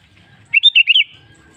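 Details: Lure song of a sooty-headed bulbul, meant to set other caged bulbuls singing: a single quick phrase of five bubbly, slurred notes rising and falling, clean against a quiet background.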